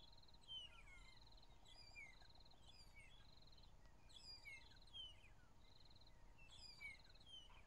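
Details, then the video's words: Magpie-shrike song recorded during a morning drive on 15 April 2011: clear falling and rising whistled phrases repeated about every second, mixed with a pulsed buzzing note and constant low rumble. "Magpie-shrike singing"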